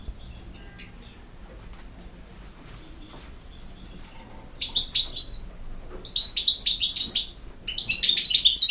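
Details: European goldfinch (jilguero) singing: a few scattered high chirps at first, then from about four seconds a dense, rapid run of bright twittering and tinkling notes that grows louder toward the end.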